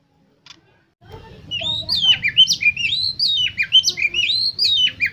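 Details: Oriental magpie-robin singing a lure song meant to set contest birds singing. After a second of near silence, a fluent stream of bright whistled phrases begins, rising and falling notes about two per second, over a low background hum.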